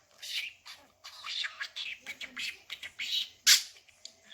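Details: Budgerigar at home chattering learned words and laughter: a dense run of scratchy, buzzy imitated syllables with a sharp click near the end and a low constant hum behind.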